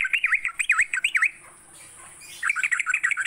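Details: Sooty-headed bulbul heard in a morning lure recording for training songbirds: quick dipping whistled notes, a second-long quiet gap, then a renewed flurry of notes, constant hiss behind.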